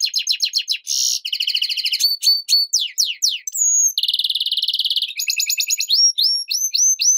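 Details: Continuous varied song of a European goldfinch × canary hybrid, mixing quick descending chips, buzzy trills, a drawn whistle and rising upslurred notes in rapid succession.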